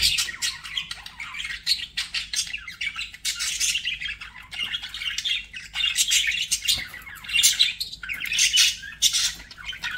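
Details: Budgerigars produce bright, rapid chirping and warbling phrases separated by short gaps, harsh high notes rising and falling repeatedly.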